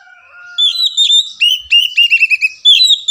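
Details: Kacer, or Oriental magpie-robin, singing a lure song to prompt silent birds to sing: a thin descending whistle, then a rapid run of bright, chirpy, warbled notes at a high pitch, clean and loud.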